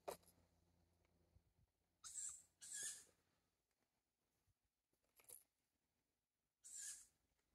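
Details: Young tawny owl calling for food: hoarse, hissing screeches, each under a second, given in an uneven series with quiet gaps between them.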